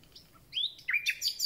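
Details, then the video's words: Common nightingale, just arrived and starting its concert, giving a brief burst of song: a few faint notes, then sharp rising whistles and quick bright chirps. "Słowik rdzawy i jego piękny śpiew"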